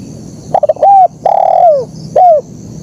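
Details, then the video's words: Gacor spotted dove giving its 'kuk 1' song: a few rapid stuttering notes, a rounded short coo, a long level coo that sinks at the end, and a final dipping coo. "Suara Burung Kicau Terkukur Gacor KUK 1"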